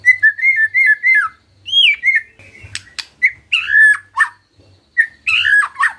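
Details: Murai batu, the white-rumped shama, singing gacor as a lure: a quick series of about six clear whistles, a looping rising-falling note, then rasping chatters mixed with buzzy whistled phrases and brief pauses.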